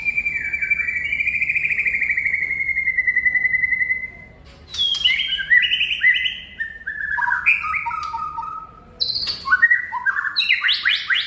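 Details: White-rumped shama singing: a long, sustained slurred whistle gently falling, then after a brief gap a varied burst of quick descending and rising whistled notes, with sharp high accents, loud and continuous.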